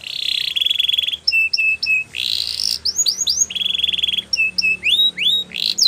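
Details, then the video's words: Canary singing a song meant for training other canaries, loud and unbroken: rattling buzzy trills, short repeated two-note whistles and bright descending slurs, cycling twice. "Best Canary Sounds !! Suitable For Canary Training"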